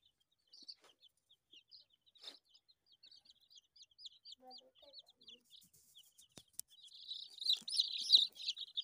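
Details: Australorp day-old chicks peeping: a steady stream of short high cheeps, several each second, with faint low clucks mid-clip and a louder, denser chorus of chirps near the end.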